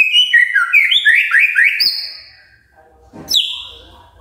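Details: Morning magpie-robin song meant to set other magpie-robins singing: quick run of slurred whistled notes stepping up and down, then a pause and one sharp high downslurred note.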